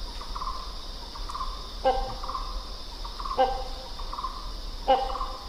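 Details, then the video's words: Three harsh, nasal hornbill honks, one every one and a half seconds, rising out of a steady background of high insect buzzing and softer chattering notes. "The Sounds of Hornbill Birds"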